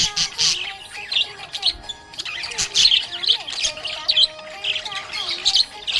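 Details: Cheerful budgie chatter, with scratchy, twittering chirps in uneven bursts over a faint steady tonal background that sounds like music.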